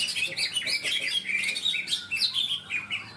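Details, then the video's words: At a leafbird singing contest in Malinau, North Kalimantan, greater green leafbirds deliver a fast stream of bright, slurred whistles and chirps. Varied notes tumble over each other without any break. "Lomba burung Cucak ijo"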